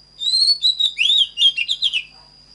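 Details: A burst of Oriental magpie-robin song from a voice-training recording: sweet whistled slurs opening into quick chattering, tumbling phrases over about two seconds, above a constant thin electronic tone.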